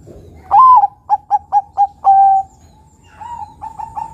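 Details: Bangkok zebra dove lure song meant to attract other doves: a rising first coo, four short clipped notes, a long level coo, then quieter trailing coos.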